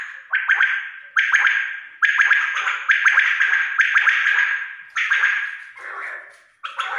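Quail calling in harsh, buzzy bursts of about a second each, repeated roughly once a second with short gaps. Nothing else stands out.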